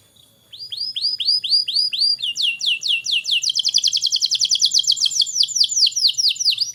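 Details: Canary song used to stimulate young canaries: after a brief pause, a series of arched whistled notes, then quicker descending notes speeding into a dense rolling run.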